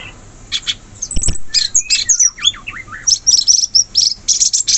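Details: Sooty-headed bulbul in the wild forest: a brief knock, then tumbling whistled notes that dip and rise in a loose descending series, followed by a dense stream of quick high chirps.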